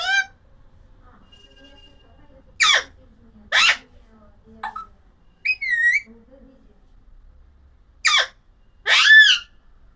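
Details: Alexandrine parakeet making scattered short harsh squawks and a brief whistled note, spread over ten seconds. Faint low murmurs can be heard between the calls.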